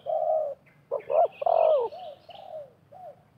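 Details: Spotted dove cooing as a wild bird and a decoy bird call against each other during bird trapping: low, mellow hooting coos, a long held note followed by a broken run of shorter falling coos, with faint rural background noise.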